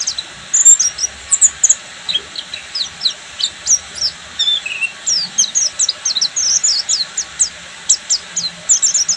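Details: Extended full ngeriwik song from a Buxtomi Oriental white-eye, a dense, unbroken chatter of very high, sharp downslurred chirps and sparkling twitters throughout, with occasional clustered bursts.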